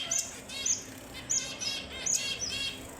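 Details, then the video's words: Red avadavat, also called strawberry finch, giving high thin whistled notes with short buzzy rattling phrases, repeated in bursts about every half second, with a faint steady hum underneath. "The Sweetest Sounds of the Strawberry Finch & Red Avadavat"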